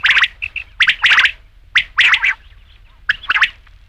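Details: Batair, the rain quail, calling for night hunting: three quick harsh clusters of grating notes mixed with brief high chirps, spaced roughly a second apart in quiet surroundings.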